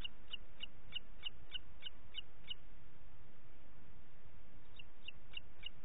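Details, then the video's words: Booted eagle, Parc Natural dels Ports, morning of 27 June 2021: eight quick high-pitched notes in an even series, a brief pause, then four more, with soft low background noise. "Àguila Calçada"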